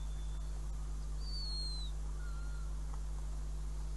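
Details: Northern goshawk calling at a nest in Riga, 5 June 2016, as a mouse is delivered: one clear, thin whistle that slides downward, then a fainter, lower whistled note, over constant low background hum.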